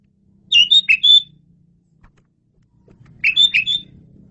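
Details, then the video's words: Asian pied starling singing energetically, used as a tutor recording for training birds: two short bursts of loud, clear whistled and slurred notes, each about a second long, separated by a quiet pause with faint low hum. "KICAU SUPER GACOR!!! JAGO BANGET MASTERAN JALAK SUREN INI"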